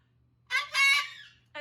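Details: A pet cockatoo in hormone season, screaming for attention at night, gives a harsh, raspy scream lasting nearly a second, then starts a second one, over a faint low hum.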